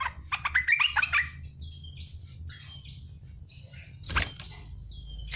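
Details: Olive-winged bulbul, known locally as merbah belukar or cucak lumut, delivering a 'tembakan pedas' burst of song: a quick chattery run of bright notes, then scattered short whistles and a sharp knock, over low background rumble.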